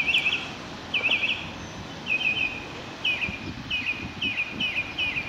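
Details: Active northern mockingbird in rainy weather, delivering paired chattery phrases, then a run of one repeated slurred, down-dropping phrase roughly every half second, each type sung several times in a row against constant rainfall noise.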